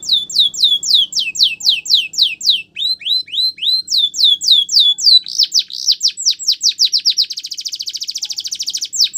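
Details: Canary training song made of successive tours: crisp falling high notes, a lower swooping phrase, then quicker notes merging into a fast buzzy roll near the end.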